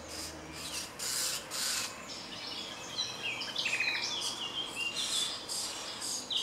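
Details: Common starling in a small wood beside Jarun in Zagreb, Croatia, late April or early May 2017, sings a jumble of high buzzy bursts followed by quick squeaky whistles and chattering notes that grow denser toward the end.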